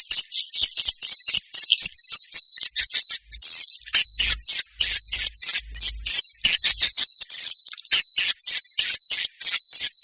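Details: Swiftlet calls used to lure swiftlets, described as a mating call: dense, high, rapid twittering chirps in bursts, with brief gaps between groups and no other clear sounds.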